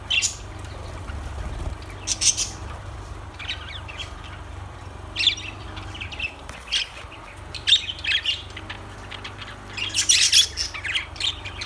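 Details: Scattered high, sharp lovebird chirps and squeaky trills come in irregular bursts, the loudest near the end, over a quiet low hum.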